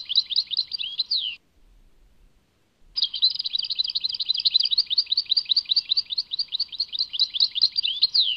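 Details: Goldfinch singing in the Tadmait manner, a rapid, high, twittering chatter of quick slurred notes, then about a second and a half of silence before the lively tinkling warble resumes and continues steadily.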